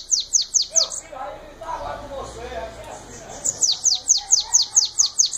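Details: Shiny cowbird giving Belgian batendo song: a short run of four quick high downslurred whistles, a pause with a man's voice, then about nine more rapid descending notes in steady rhythm.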